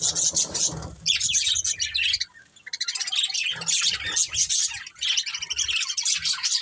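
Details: Several pet budgerigars, a family group, chirping: dense bursts of high, scratchy warbles and tweets in two long phrases with a short quiet gap between them.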